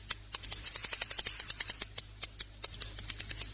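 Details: Swiftlet roosting sound made of sharp dry clicks, irregular but fairly fast, about eight per second, over a low steady hum.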